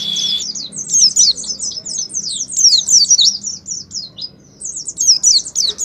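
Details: Oriental white-eye singing ngalas as a lure for caged pleci: opens with a steady whistle, then long runs of quick, very high twittering notes broken by one short quiet pause.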